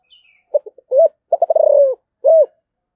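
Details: Thổ-voiced spotted dove calling: three brief soft notes, an arched coo, a quick stuttering burst drawn into a long descending coo, then a closing arched coo.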